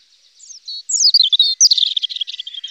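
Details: European robin: thin, high notes that lead into a tumbling, descending cascade, then a fast, sparkling trill of short notes that keeps going to the end.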